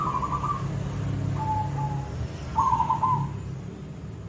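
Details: Koong-style song from a silver zebra dove: a brief vibrating trill, two soft lower flat notes, then a louder rattling, bubbling coo, with low background rumble throughout.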